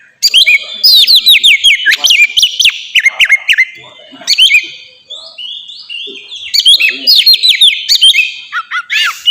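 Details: Melodious Oriental magpie-robin song played to spur pet birds into singing: rapid series of bright whistled down-sweeps in loud phrases, a quieter warbled passage, then further energetic bursts.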